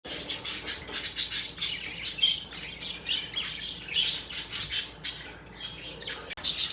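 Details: Budgerigars described as happy, chirping indoors; a dense, continuous chatter of short high squawks and twittering notes with bright clicks, rising and falling in loudness throughout, with a sharp break near the end.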